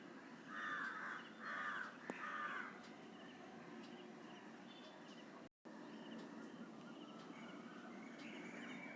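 Indian paradise flycatcher giving three harsh, rasping calls in quick succession, then steady background hiss with faint distant chirps.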